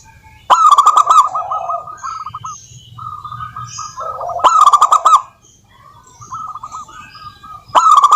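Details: Local wild-type zebra dove song, played as a lure to make other doves call. It gives stuttering bursts of mellow cooing notes, then looser trills, with sharp clicking bursts and a low hum in the background.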